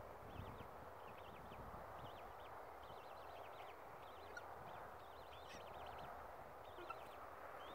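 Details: Thin, high zigzag peeps from Australasian swamphen chicks at Tamar Island Wetlands, 26/10/18, repeated almost continuously in clusters of two to four notes against a constant rushing background hiss.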